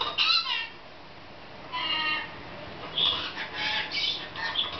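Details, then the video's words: Pet female lorikeet laughing while playing after discovering a new playground: bursts of harsh, squawky, harmonic chatter with brief pauses between, rising into rapid, giggling notes toward the end. "Laughing Lorikeet"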